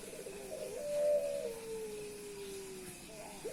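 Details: A single drawn-out coo from a male Puter Pelung dove showing off to a female. A fast rolling stutter rises into a loud ringing note, which then slides lower and fades away.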